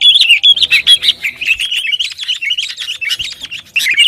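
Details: Sooty-headed bulbul song meant to make rival and kept birds sing: rapid, loud chatter of bright whistled and bubbling notes, about two notes a second, almost without pause.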